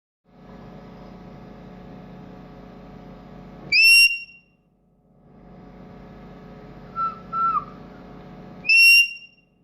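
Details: Pet green ringneck parrot kept indoors, whistling a learned tune; two loud, bright, buzzy-edged whistled bursts about five seconds apart, with a few soft pure notes between them, over a steady low room hum.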